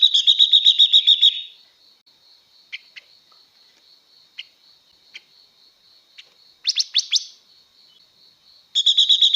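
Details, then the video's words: Singing to excite males, a female blue-winged leafbird opens with a rapid rattling trill, drops to sparse faint ticks, adds a quick run of rising notes, then starts another fast trill; a steady high whine persists. "Tiếng Chim Ngũ Sắc Mái Hót Siêu Kích Trống Nhanh Căng Lửa"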